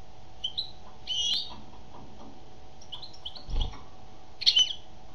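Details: Female European goldfinch singing, with scattered short high twittering notes, separated by pauses, over a steady low hum and a brief dull thump.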